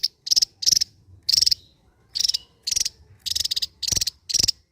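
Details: Javan white-eye, a bird endemic to Java, singing a sharp 'ngebren' drilling style: harsh, buzzy rattled bursts about a third of a second long, repeated roughly every half second, with faint low background rumble.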